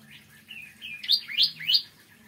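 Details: Bar-winged prinia in the morning, giving soft warbled notes followed by three louder, sharply rising chirps in quick succession.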